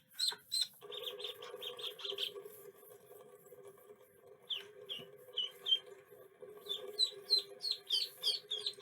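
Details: Duckling quacking: high, thin peeps repeated rapidly in bursts, first over a steady low hum, then a looser run of sharper, clearer peeps toward the end.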